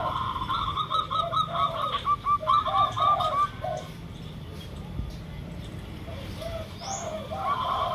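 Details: Local zebra doves (perkutut) with spotted doves (derkuku) in a lure recording: soft, rounded low coos in short curved notes, over a rapid string of brighter repeated notes and faint background hiss.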